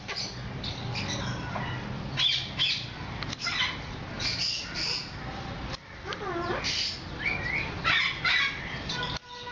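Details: Hand-tame cockatoo, either a Moluccan or a medium sulphur-crested, gives harsh, raspy squawks and a few bent, wavering notes in uneven bursts, with some faint voices and room noise.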